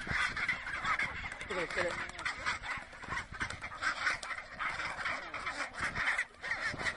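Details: Chinstrap penguins fighting, recorded on the Antarctic Peninsula: dense raspy squawking and braying from several birds, steady harsh chorus with brief short wavering notes.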